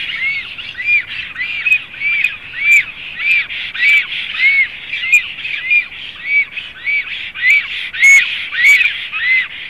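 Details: Black stork at a nest in Zemgale, Latvia, 7 April 2016, possibly the returning nesting female: a steady series of harsh, arched squawks, nearly two a second, with faint background hiss.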